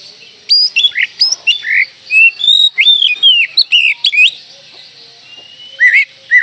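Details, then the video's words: Oriental magpie-robin singing loudly and spreading its tail, used as a lure so young birds start singing sooner. A four-second rush of sharp chips and swooping whistles, then a pause, then two hooked whistles. "KACER GACOR BUKA EKOR, PANCINGAN KACER MUDA AGAR CEPAT GACOR"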